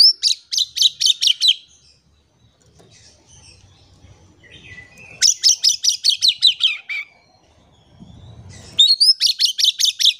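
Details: Oriental magpie-robin singing energetically, used to coax quiet birds into song. Three quick series of shrill, clipped high notes follow one another, each opening with an upslurred whistle, with faint low rumbling in the gaps.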